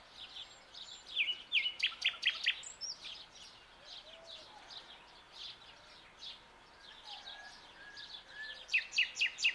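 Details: Young common nightingale singing at dawn: bright, rapidly repeated whistled notes in quick bursts, a looser twittering stretch in the middle, then another run of loud repeated notes near the end, over soft background birdsong.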